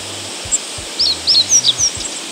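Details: Meadow Bunting singing on 8 August in northern Harima, Hyōgo, Japan, about 2–3 m away: a brief, high phrase of quick, sweet chirping notes, over low rumbling handling noise.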